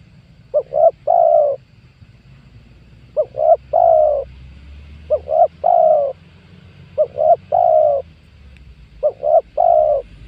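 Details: Spotted dove lure call used to draw in wild doves, 2022: five steady phrases roughly every two seconds, each two brief notes then a drawn-out coo, over a faint low hum.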